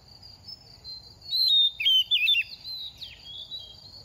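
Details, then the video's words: Moulting second-year oriental magpie-robin singing readily to stimulate other birds: a brief run of clear warbled whistles over a faint steady high background tone. "Kích chim hót mùa thay lông | Choè than bánh tẻ lên 2 vụ mau mồm đang rớt lông p3 Kích Choè Than Hót"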